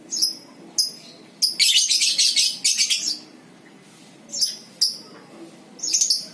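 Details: Ngekek singing from a lovebird, used to prompt others to chatter: a few piercing chirps, then a dense, harsh, high trill lasting about a second and a half, followed by spaced sharp notes and another short burst.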